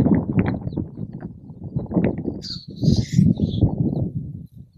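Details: Black grouse calling in windy uplands, a deep continuous bubbling coo of quick rhythmic pulses, broken midway by a sharp hissing sneeze, then the low rolling bubbling resumes and fades.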